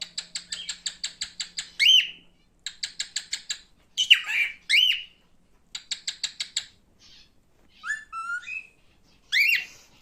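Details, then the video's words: Male cockatiel, a pet, giving rapid series of short ticking chirps in bursts, broken by loud rising and falling whistled squawks and a few upslurred notes. "Erkek Sultan papağanı sesi"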